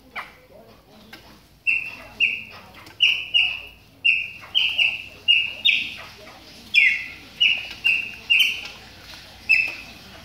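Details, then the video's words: Chopi blackbird kept in captivity, calling while warming up during its moult; after a quiet start, a fast run of short whistled notes, some rising and some falling, repeated roughly twice a second. "CHAMADOS DE PÁSSARO PRETOS AQUECENDO NA MUDA !"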